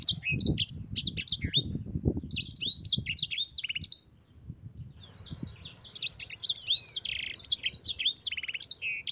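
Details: Yellow-fronted canary (mozambik) singing an extended rolling song for training other birds: dense high twittering phrases, a short break midway, then continued rapid chirps over a low hum and background noise.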